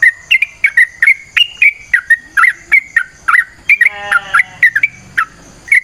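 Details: Yellow-vented bulbul from the wild, sung as a lure: a rapid chain of bubbly, warbling whistles, with a brief harsher rattling phrase near the end.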